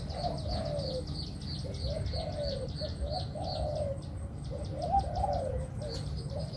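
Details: A caged local pigeon gives soft, low cooing phrases, each rising and falling, about every second, with a steady low rumble and faint high chirps behind.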